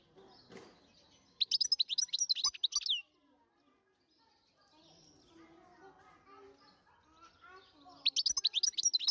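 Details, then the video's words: European goldfinch, wild-caught, recorded in 2023: bursts of rapid, very high, twittering chirps, about two seconds at the start and again at the end, with faint lower voices or noises in the quiet gap between. "تغريد الحسون الخلوي"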